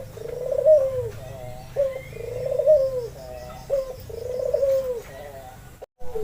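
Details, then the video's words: Cooing of a red-eyed white albino Barbary dove kept to entice other doves to call. Three low burred coos sound at steady two-second intervals, each preceded by a short abrupt note. "Suara burung puter (Puter Putih Albino Mata Merah)"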